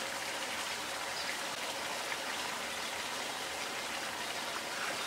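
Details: Dense hiss of rain or running water, steady throughout, with no animal calls audible.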